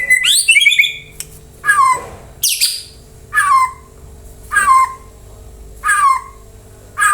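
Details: White-rumped shama sounding out, used to prompt other birds to reply and sing; loud separate whistled phrases, each a sharp falling note with rich overtones, repeated about every 1.3 seconds with quiet gaps and a steady low hum beneath.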